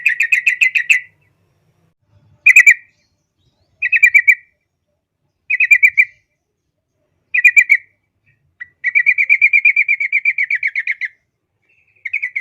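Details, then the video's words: Yellow-vented bulbul singing energetically for a training recording aimed at young birds: clear, melodious bursts of rapid chattering notes every one to two seconds, then a longer, even trill lasting about two seconds. "masteran burung trucuk"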